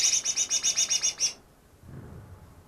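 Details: Greater green leafbird, newly caught two days earlier and said to mimic ten other bird species, gives a fast run of about ten bright, high chattering notes over just over a second, then falls quiet with faint low background noise.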